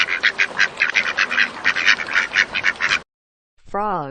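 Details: Duck giving a fast series of rasping quacks for about three seconds; after a short silence a different, tonal, wavering sound follows.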